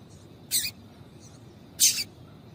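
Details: Female double-collared seedeater call, used to stimulate males to sing: two short, sharp high chips about 1.3 seconds apart over faint background hiss.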